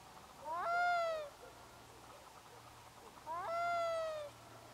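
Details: Black-throated loon crying over a bay in grey mist rolling in from the sea: two clear, mournful calls, each rising quickly then holding steady for under a second, about three seconds apart, over quiet background.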